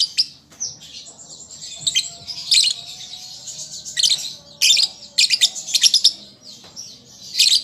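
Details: Juvenile lovebird practising its song, giving irregular scratchy chirps and squeaky bursts at high pitch with uneven gaps, over a faint low background hum.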